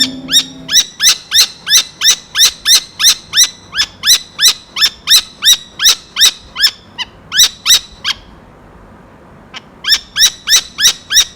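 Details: Saker falcon giving loud, harsh, rasping screams repeated about three times a second in a long steady series, a brief break near eight seconds, then the screaming resumes.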